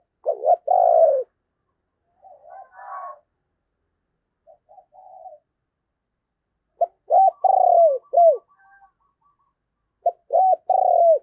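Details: Caged spotted dove used as a decoy at Tet to draw in wild doves, giving repeated low cooing phrases: short hoarse notes followed by longer falling coos, with quieter coos between louder bursts.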